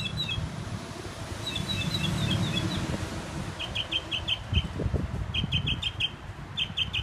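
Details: Northern mockingbird singing from a sign in Herndon, Virginia: short high chirps, then a run of repeated clipped notes in rapid groups, over steady low rumbling background noise.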